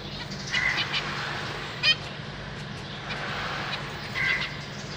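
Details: Captive zebra finches, 31 March 2023, with parents feeding their chicks (three juveniles, three new hatchlings): one sharp nasal beep amid faint thin tonal notes, set against a steady low background hum.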